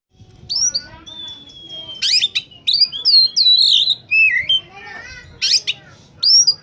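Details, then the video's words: Oriental magpie-robin (kacer) in full song, used as a lure for wild birds: a long level whistle, then rapid varied notes mixing clear slurred whistles with scratchy, buzzy bursts, delivered in quick succession. "suara burung Kacer saat sedang on fire!!!! pancingan burung bakalan/ pikatan"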